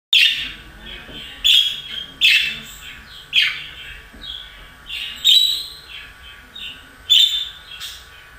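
A budgerigar warbles in high chattering bursts, each a second or so of rapid twittering, starting again roughly every one to two seconds.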